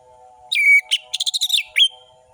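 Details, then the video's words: Orange-headed thrush singing fast as a lure for passive birds: an extended falling whistle, a brief note, a quick sharp chattering trill and a closing rising whistle, with faint steady humming behind. "Anis merah gacor‼️ Pancingan anis merah malas bunyi"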